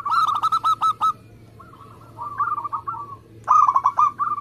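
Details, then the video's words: Local zebra dove in active song, kept as a lure for contest birds: a fast burst of clipped notes, a softer wavering passage, then another tight run of ringing notes. "Perkutut lokal gacor Speed rapet"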